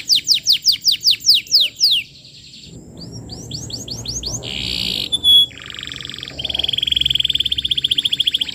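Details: Canary lure song for young canaries to learn from: a series of steep down-slurred whistles, a quieter stretch, a few swoops and a sharp whistle, then a long buzzy trill of rapid notes.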